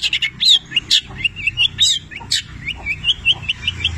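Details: Long-tailed shrike, called cendet, singing with labet and canary mimicry: harsh scratchy bursts mixed with short whistled slurs, then a string of quick rising chirps, over a low rumble.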